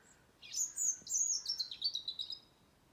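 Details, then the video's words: Wild birds singing in a garden tree in Blackrock, Dublin, in November: a high, thin twittering phrase of quick sliding and trilled notes lasting about two seconds, with quiet background noise. "November Birdsong Blackrock Dublin"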